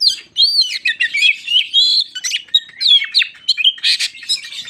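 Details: White-crowned shama singing to rile other shamas, with a stream of varied fluty whistles, downslurs and sharp chip notes in steady, energetic phrases.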